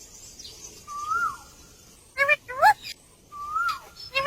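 A rose-ringed parakeet gives two clear whistles that rise then fall, between bursts of harsh, speech-like mimicked syllables.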